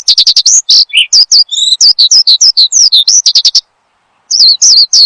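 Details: Oriental skylark song meant for luring and tutoring cage birds: rapid high chirps and downslurred whistles, one lower rough note and a harmonic buzz, then a silent gap of about half a second before singing resumes.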